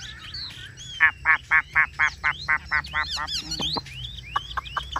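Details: Chinese hwamei in a cage in hot weather, with a run of about ten evenly spaced harsh, buzzy notes followed by scattered thin whistled slurs and clicks, from a ngũ trường song.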